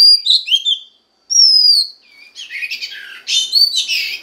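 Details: Female Oriental magpie-robin voice for stimulating a male: short fluid whistles, a drawn-out falling whistle after a silence, then a denser, scratchy jumble of overlapping chattering notes.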